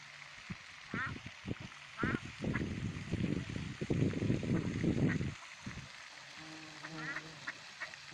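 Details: Canada geese visiting a pond, giving a few short nasal honks spaced about a second apart, with a longer burst of honking near the end, while people talk quietly close by in the middle.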